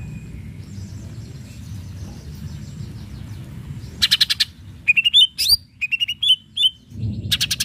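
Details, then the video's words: Greater green leafbird provoking rival birds: bursts of dry rattling ticks mixed with a series of bright, quickly slurred whistles, the phrases running almost continuously for three seconds before a final rattle. "cucak ijo gacor RANGSANG LAWAN Bikin ijo bahan IKUT NYAUT EMOSI"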